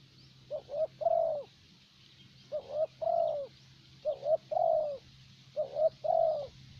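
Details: Spotted dove kept as a decoy bird for luring in Vietnam, a 'thổ bầu' voice type: four evenly spaced low phrases, each two short rising coos then a longer falling coo, over a steady low hum.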